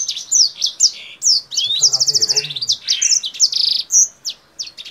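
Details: Kingthroat in full, energetic song while hopping up and down and spreading its wings, its voice said to resemble a Blackthroat's: rapid high twittering with buzzy trills and sharp downslurred whistles, plus a brief low murmur near the middle.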